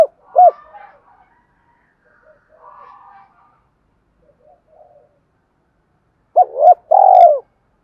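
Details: Spotted dove cooing to lure wild doves. Faint, scattered low coos fill most of the stretch, and a louder phrase of short hoots and a rolling coo comes near the end.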